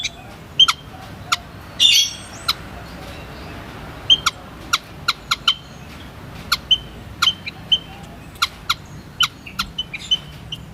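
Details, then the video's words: White-headed munia, Lonchura maja, calling: a sparse series of short, sharp high chips, some with a brief tonal note, spaced irregularly about half a second to a second apart over a faint steady background hiss. "WHITE HEADED MUNIA SOUND EFFECT"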